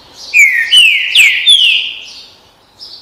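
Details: Trinca-ferro, the green-winged saltator, gives its "bom dia seu chico" song: a phrase of four rich, downslurred whistles about half a second apart, ending with a brief fainter high note.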